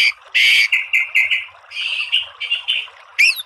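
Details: Harsh, buzzy repeated notes from a murai batu, the white-rumped shama, in a tembakan tutor recording, a loud rasping burst followed by a chain of shorter scratchy notes and a final rising whistled sweep.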